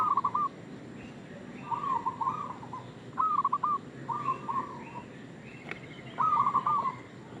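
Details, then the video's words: Local zebra dove calling as bait to lure others: five separate bursts of fast, rattling coos, each under a second, with quiet pauses between, over a faint low hum. "Perkutut lokal gacor suara pancingan"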